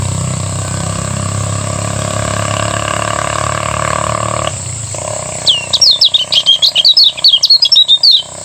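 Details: Morning song of a lemon-bellied white-eye from Lombok. A low tonal hum gives way to about three seconds of quick, bright, high twittering in the energetic ngejos style.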